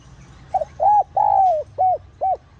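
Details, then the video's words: Spotted dove cooing used to attract wild doves: a single phrase opening with a soft short note, then a coo, a long descending coo and two short arched coos, loud and clear. "Tiếng Cu Gáy Giọng Hạp BổI ĐỦ BÀI [GỌI BỔI]"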